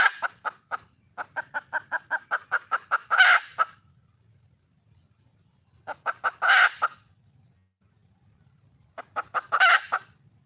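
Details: Hen red junglefowl in the wild calls for a mate in three bouts, each a run of quick clucks building to one loud harsh squawk, with quiet gaps of a few seconds between bouts.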